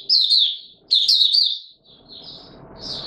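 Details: In warm humid weather, a white-eye sings two quick, high warbling phrases, followed by softer thin notes and a low background hum.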